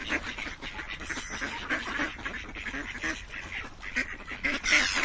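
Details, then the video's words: A crowd of ducks gives rough, nasal quacks in quick irregular succession, calls piling up and growing louder toward the end. "Quacking Duck sounds"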